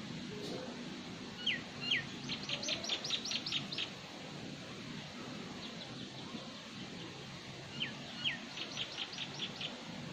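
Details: Common myna, seen feeding, gives two rising whistles followed by a quick run of harsh, clicking notes, the pattern repeated twice over steady low background noise.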